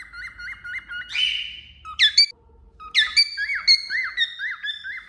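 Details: Cockatiel perched on a finger sings a varied whistled phrase: quick repeated up-down whistles, a buzzy held note, sharp rising squeaks, then more looping whistled notes.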